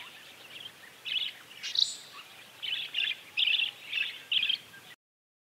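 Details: A Saffron toucanet (Pteroglossus bailloni), a bird of misty montane forests of South America, gives about seven short, high, rasping squeaks, spaced roughly half a second apart, over a faint background hiss.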